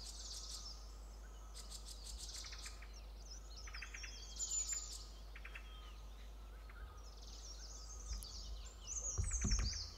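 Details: Green-backed tit parents flying back and forth in front of a yellow-throated marten raiding their chicks from a nest-hole in a tree; harsh buzzy bursts in quick groups, mixed with sweeping high whistles and chirps, low rumble underneath.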